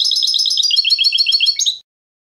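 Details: Clean contest-style song of a European goldfinch, canto limpio, meant for educating young birds: a fast chain of bright, repeated twittering notes, steady for nearly two seconds before ending in a short falling slur.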